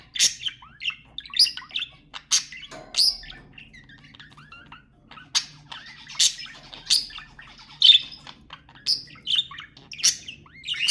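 Budgerigars chatter in a busy warble of sharp chirps, squeaks and rasping notes, several bursts each second, with overlapping birds.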